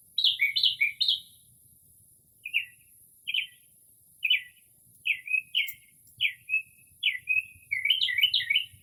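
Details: At night in early spring, a Northern mockingbird imitates various birds from near a porch, opening with a rapid cluster of high notes and then repeating short two-part slurred chirps about every half second, with no urban noise.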